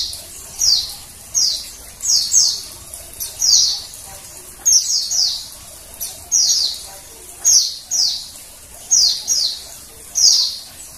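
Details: High descending chirps from a female Oriental white-eye, paired notes repeated at fairly regular intervals of about a second and a half, with quiet background; the calls serve to trigger male singing.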